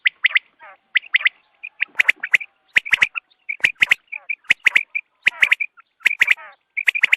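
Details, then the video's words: Dawn calls of quail for hunting: rapid clusters of harsh, squeaky notes and crisp clicks repeating almost without pause, forming a busy, chattering sequence. "batair ki awaz subha k liye"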